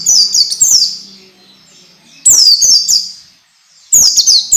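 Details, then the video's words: Orange-headed thrush training song used to make young birds sing early and often: a fast burst of bright, high descending chirps, then two more short clusters about every one and a half seconds, soft low hum underneath. "SUARA MASTERAN BIKIN PELECI BAHAN CEPAT BUNYI DAN GACOR"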